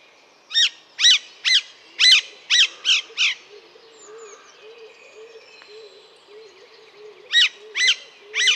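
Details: Alexandrine parakeet giving loud, harsh, grating squawks in a quick run of about seven calls. A pause follows, with only a faint low hum, then three more squawks close the recording.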